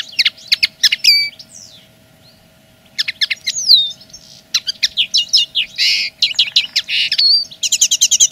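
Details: Common linnet singing as a territorial claim: rapid twittering bursts of high, chirpy notes mixed with clear upslurred and downslurred whistles, a short pause, then more dense chattering phrases ending in a fast repeated trill; a steady low hum underneath.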